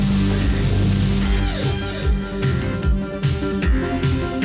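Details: Loud electronic music with a driving beat, sliding synth tones and a pulsing bass, without any animal sound.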